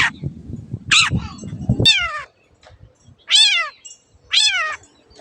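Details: Long-tailed shrike (cendet) on a master recording for tutoring caged birds that stop singing or change owners: three loud, harsh, harmonic notes sliding downward, spaced about a second apart, after a low rumbling noise at the start.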